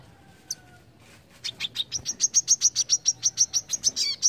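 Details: Brown-throated sunbird in besetan-style song: one isolated high chip, a short pause, then a fast, even string of about eighteen shrill, ringing notes that grows louder toward the end.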